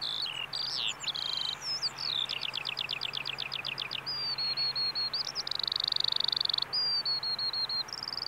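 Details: Eurasian skylark at a Saanich, B.C. bulb farm pouring out varied song: twisting whistles, a fast run of rapid repeated notes, then long sustained high tones, over light background hiss.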